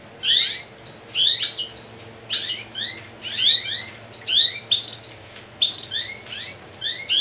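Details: Canary song meant to encourage other canaries to sing: rapid clusters of high, falling chirp notes, doubled and tripled, returning roughly once a second with brief pauses, over a low constant hum.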